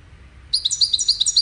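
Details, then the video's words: Goldfinch song used in courtship and communication. After half a second of quiet comes a quick run of about seven sharp, very high chirps, each a fast downward flick, evenly spaced. "Witness the Majestic Goldfinch Singing"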